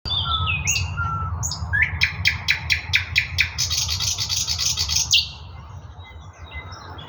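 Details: Thrush nightingale singing in Russia: high whistled notes give way to a loud run of evenly spaced clicking pulses, then a dense rattling buzz, over steady low rumble.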